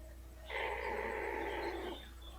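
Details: Female blue-fronted amazon kept indoors, purring contentedly as her rump is rubbed: one smooth, buzzy, harmonic purr lasting about a second and a half, with a low hum behind it.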